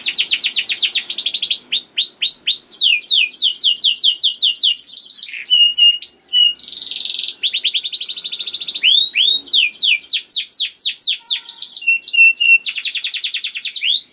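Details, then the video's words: Long, varied song of a young canary, used to stimulate other canaries to sing: rapid trills, series of descending whistled sweeps and buzzy rolls, with barely a pause throughout. "KENARI GACOR DOR NGEDUR NGOTOT CUIT CUIT NGEROL AMPUH PANCINGAN KENARI PAUD"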